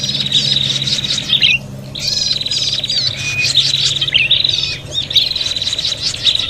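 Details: Prinias in a fight, recorded to lure birds: loud bursts of rattling high trills and squawky chirps in three long bouts separated by brief drops.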